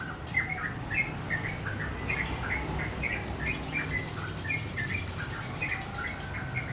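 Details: Sogon in full, steady sriganti-style song, firing phrases with wings spread: scattered mid-pitched chirps and high notes, then a long rapid buzzy high trill with more chirps after it.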